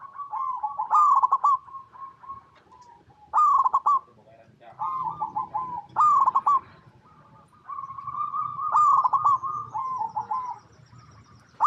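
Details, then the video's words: Local Indonesian zebra dove singing persistently, used as a lure to make other zebra doves sing: rolling, trilled coo phrases about every two to three seconds, each a loud burst followed by softer level cooing, with a faint background hum. "Perkutut Lokal Gacor Suara Paling DiCari Untuk Pancingan Semua Burung Perkutut Agar Bunyi"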